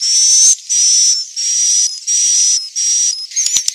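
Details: Swiftlet roosting calls from Central Sulawesi: a run of five high, buzzy, hissing notes of about half a second each with a thin whistled tone inside, evenly spaced by short gaps, ending in a few sharp clicks.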